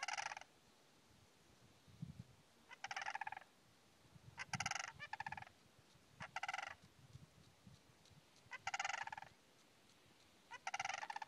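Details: Greater sandhill crane at the wildlife refuge in Alturas, California, giving loud, rolling, trumpeting rattles in short bursts about every two seconds, six in all, over a faint low rumble.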